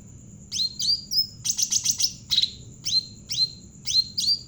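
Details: Javan cucak ranting bulbul singing as a lure for other birds: rising and falling whistles, a quick string of five sharp chirps, then a regular series of downslurred whistles roughly every half second.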